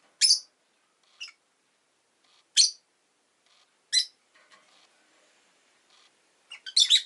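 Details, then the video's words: Shrill harsh chirps from a rosy-faced lovebird, sharp single notes spaced about one to one and a half seconds apart, with fainter calls between and a burst of rapid scratchy notes at the close. "Lovebird Chirping Sounds"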